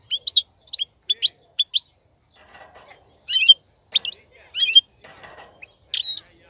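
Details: A male goldfinch sings as a teaching song for young birds. Sharp, separate chirps come in quick pairs, then tangled twittering bursts. Faint background rustling is heard between the phrases.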